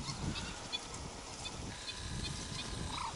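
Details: Chicks of the black-winged stilt in Arucas, Gran Canaria, on 28 June 2018 give faint, brief high-pitched peeps in loose succession, one clearer note near the end, against constant low-frequency wind rumble.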